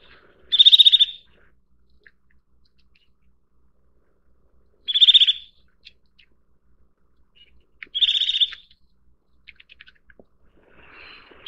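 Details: A Eurasian nuthatch (Sitta europaea) calls in short, bright, high bursts of rapid notes, about half a second each and roughly every three to four seconds, against a quiet background.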